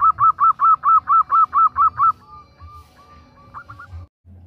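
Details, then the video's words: Female zebra dove calling to a male: ten loud, evenly spaced arched coos in quick succession, then fading into faint, softer notes and a few quiet trailing chirps. "Suara Perkutut betina Memanggil Jantan || The sound of a female turtle dove calling a male"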